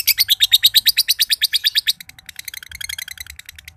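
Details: Long ngekek from a green josan lovebird kept for contests in Mojokerto: two seconds of loud, evenly pulsed harsh trilling, followed by softer, quicker chattering notes.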